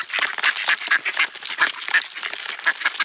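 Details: Wood ducks returning at Sainte-Adèle, Quebec, Canada, at 7:53 AM on 18 October 2024, a clear morning at 1°C. Dense, rapid chatter of overlapping calls, with short squeaky high notes standing out every half second or so.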